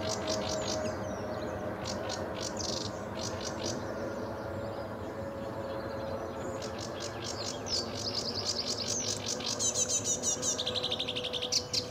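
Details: Lively sedge warbler song at RSPB Fowlmere on a sunny July morning: a rapid run of varied chattering notes that builds into quicker, repeated trills toward the end, with a constant low rumble behind.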